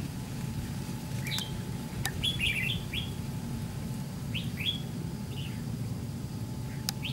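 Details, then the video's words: Red-whiskered bulbul, white-cheeked decoy bird in a fighting trap, utters sparse rising chirps in small groups with long gaps, a few sharp clicks, and a low constant drone. "Bẫy đấu chào mào MÁ TRẮNG VIP SIÊU PHẨM"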